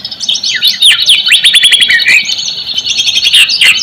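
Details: White-rumped shama lure song for prompting reluctant shamas: energetic bursts of quick sweeping chirps and trills, densely packed with short gaps.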